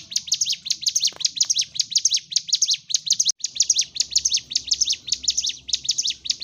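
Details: Fighting-mode song of a Sunda warbler, intended to rouse stalled birds: an unbroken series of rapid, high, sharp chirps throughout, lively and repetitive.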